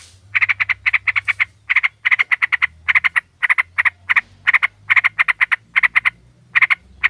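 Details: Sooty-headed bulbul, female calling to attract a male, used as a lure: steady, fast stream of grating chattering bursts, grouped in twos and threes, over a soft low background hum.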